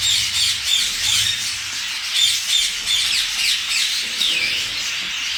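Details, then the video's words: Agitated grey parrots, several birds together, giving rapid, irregular harsh squawks, about three a second, mixed with clipped whistles and a downward slurred note near the end. "Jakolar yaman əsəbidilər."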